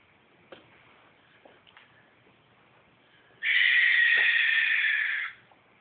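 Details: Two adult barn owls calling to each other from trees near a palm-tree nest in North Tustin, in darkness in April; one long, harsh, hissing screech of about two seconds after quiet seconds with faint clicks and rustles.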